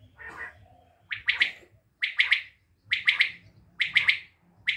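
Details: Common quail from Tajikistan giving its three-note call: sharp, bright triple bursts repeated about once a second, preceded by a softer, hoarse opening note; faint low rumble underneath.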